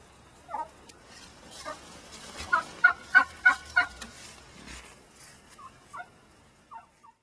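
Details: Angry laying hen in a chicken-wire pen, just returned to the flock's big pen after others nearly killed her, making turkey-like noises: a few scattered squawks, then a burst of six loud, evenly spaced harsh gobbling notes, then more scattered squawks.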